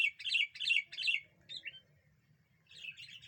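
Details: Sooty-headed bulbul, said to provoke other birds into agitation, used for luring birds: three loud bubbly phrases in quick succession, then two softer slurred notes and a quieter chattering passage, over a faint low hum.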